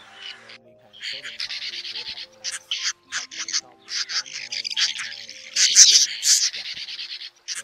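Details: Swiftlets, male and female, calling the flock to roost, played as a trapping lure: bursts of dry, buzzy high twittering chirps, broken by short gaps, growing louder and denser near the end.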